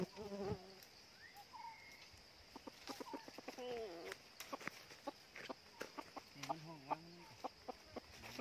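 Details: Decoy red junglefowl rooster used for trapping wild junglefowl out of season at a second trap: low harmonic calls at the start and again midway, between sharp clicks, rustling and thin whistles from other birds.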